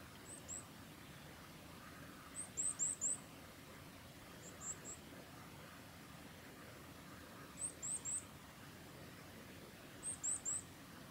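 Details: Varied tit giving contact calls on the Mizusawa forest road, Tanzawa, Japan, 14 October 2021: thin, very high notes in quick bursts of two to four, every two or three seconds, over a soft low rumble.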